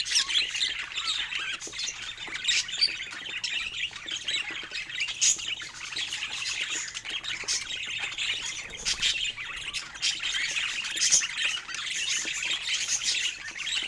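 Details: A long stretch of pet budgerigar chatter during toy play: constant high twittering, scratchy warbles and scattered sharp squawks from several birds at once.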